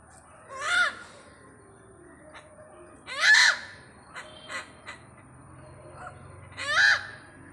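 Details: Great hornbill visiting Pathanamthitta: loud, harsh, croaking calls, three main blasts several seconds apart, rich and nasal with a rising-falling shape, plus a few softer knocks over a steady low background hum.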